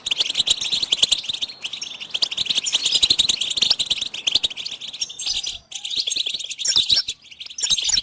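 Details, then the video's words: Goldfinch song used as a tape to stimulate caged songbirds to sing: dense, rapid high twittering and tinkling notes run almost without pause, with a few brief breaks and faint clicks. "Motivational tones must be available on your phone for your goldfinch to sing"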